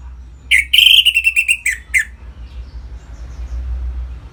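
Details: Orange-headed thrush singing ngeplong style, meant to excite caged birds toward breeding: one brief phrase of a sustained whistle broken into quick pulsed notes, fading out, then quiet background hum.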